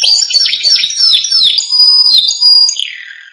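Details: Canary song used for training young canaries: a continuous, high, bright warble of quick trills and slurred whistles, with a long sustained high trill in the middle and a lower, fading phrase at the end.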